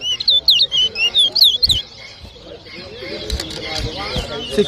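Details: Competing towa towa bird at a 2023 Arrival Day whistling match in Diamond, Guyana, gives loud, sweeping whistled notes in a rapid run of about eight, then fades under crowd voices.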